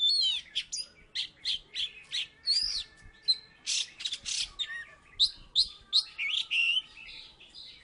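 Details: Oriental magpie-robin from Salatiga, once a third-place contest winner, in full energetic song: sharp whistles, buzzy rasps and quick chirped notes delivered in dense bursts about every half second.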